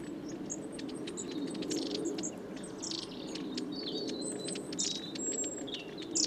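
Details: Long-tailed tits flocking around suet feeders at Saltersford Locks in Cheshire, winter 2012/13; a busy chatter of high thin squeaks and rolling buzzy trills, many birds calling over a constant low background hum.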